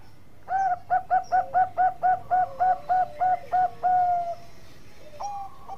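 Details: Bangkok zebra dove in full song for use as a tutor recording: roughly a dozen soft, rounded coos repeated about four per second, closing with a longer sustained note and a brief faint follow-up.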